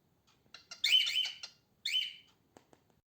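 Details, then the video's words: Pet female cockatiel giving harsh, raspy calls: a few soft short notes lead into two loud buzzy squawks about one second apart, then faint ticks near the end. "Female Cockatiel Sounds and Singings, Female Cockatiel Noises"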